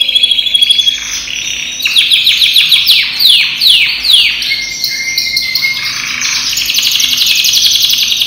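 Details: Yellow canary imported from Europe, about ten months old, with a 2020 ring, in full singing condition; continuous loud varied song of fast trills, rapid repeated notes and buzzy rolling phrases, shifting tone throughout.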